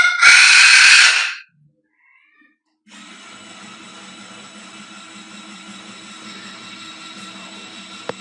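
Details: A pet Amazon parrot indoors gives one loud, harsh, raspy scream lasting about a second and a half, loud enough to make the household cat run away, then falls silent over a steady low hum.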